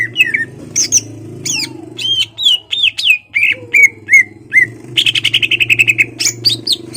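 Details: A caged greater green leafbird sings to provoke a rival into fighting: a lively run of varied whistled slurs and buzzy notes, followed by a rapid rattling trill of sharp repeated notes, over a low steady hum.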